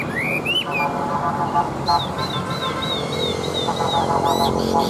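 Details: Large, old wild-caught Chinese hwamei (Garrulax canorus), a fighting bird with a strong forest-style voice, sings loud rising whistles and a run of repeated slurred notes over steady background noise and a low hum.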